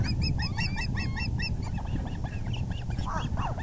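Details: Evening nest scene, April 6, 2020, 6:30pm, as the male delivers a big fish: quick, high whistled osprey chirps in a fast string for about one and a half seconds, then softer scattered notes amid low-frequency noise.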